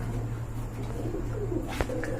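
Domestic pigeons give soft, low cooing over a steady background hum indoors.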